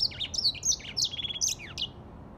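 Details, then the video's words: Grey singing finch song: a rapid run of high, clear whistled notes and short warbled phrases, some sliding down, packed into about two seconds with barely a pause. "تغريد ياسمين رصاصي افريقي chanteur "d'Afrique"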